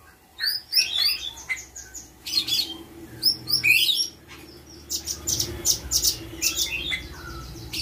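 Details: Captive spotted blue-winged leafbird in mimicry training gives scattered bursts of high twittering chirps and quick slurred notes, with brief pauses between phrases and a faint background hum.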